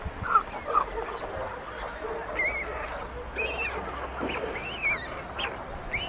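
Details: White stork chicks on a chimney nest in the local government yard at Ságvár, Hungary, on May 22, 2024, as older siblings steal food from the youngest chick, caught by a live nest cam. Short arched squealing calls rise and fall, some doubled, over a low hum.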